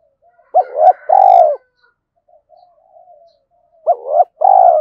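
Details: {'text': 'A decoy spotted dove calls to attract wild doves. Quick double coos lead into long purring notes. Soft murmurs follow, and then the phrase starts again.'}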